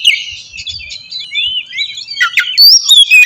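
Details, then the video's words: Short stretch of oriental magpie-robin lure song to draw a response: softer warbled whistles at first, then louder sharp chirps and a bright rising whistle near the end. "suara pancingan burung kacer ampuh!! buat pancingan kacer bahan dijamin langsung nyaut"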